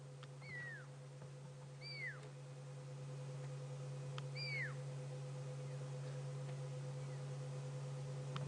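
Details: On an afternoon safari drive on 26 June 2016, a Fork-tailed Drongo gives three clear, high whistles that slide downward, mimicking a Pearl-spotted Owlet's territorial call, spaced over about five seconds above a steady engine hum.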